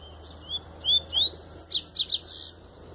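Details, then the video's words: Strong tui-tui song of a double-collared seedeater in late molt: several rising whistled notes speed up into a rapid chain of sharp, descending chips, ending in a brief buzzy burst. "Papa-capim Tui Tui puro"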